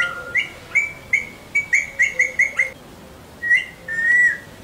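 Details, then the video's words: Parrot whistling during a training session: a steady run of about ten short, clear whistled notes, all at one pitch, then a pause and a longer drawn-out whistle. "Parrot whistling"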